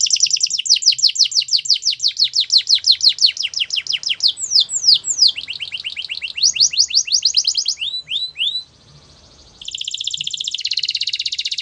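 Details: Belgian canary song meant to prompt other canaries to sing: long trills of rapid downward sweeps repeated several times a second, a few slower swooping notes, a brief pause, then a buzzy high trill.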